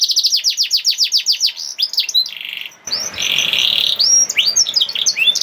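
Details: Canary singing in the 'nembak' style, used as a lure to make lazy canaries start singing: a fast series of high down-slurred whistles, then a buzzy rolling trill and more varied bright notes.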